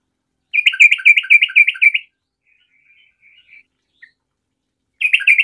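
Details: Yellow-vented bulbul of garuda type singing steadily, said to make other bulbuls join in: a quick rolling phrase of about nine notes, soft twitters, then the next phrase beginning three seconds later.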